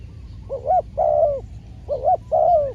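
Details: Trained spotted dove decoy cooing during a trapping outing; two phrases, each a quick wavering note followed by a longer smooth coo, with soft low background rumble.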